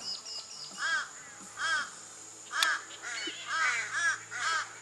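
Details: About five crows give harsh, hoarse caws, about six in five seconds at an uneven pace, agitated by a couple of nearby hawks, on the coast south of Carnarvon, Australia; faint background noise and a man's voice.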